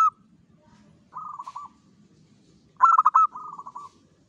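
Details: Local zebra dove singing eagerly before sunrise: a soft purring trill, then a loud burst of rapid staccato coos flowing into a long rolling trill, with low murmuring noise behind.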